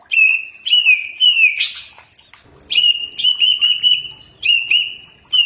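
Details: Common iora song used as training playback meant to draw a reply: long clear whistled notes, level or gently sliding, in short phrases with one harsh buzzy burst midway and brief pauses between phrases; no other sounds.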